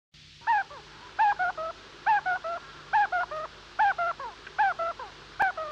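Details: A tapaculo in Antofagasta, Chile, repeats a hoarse, mid-pitched phrase of three or four notes about once a second, with a faint steady hum in the background.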